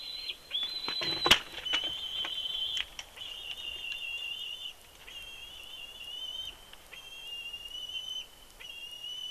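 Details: Bald eagle at its nest in Big Bear, recorded by a live nest camera: long, wavering whistled notes, each held one to two seconds and repeated with short gaps, plus a sharp knock near the start.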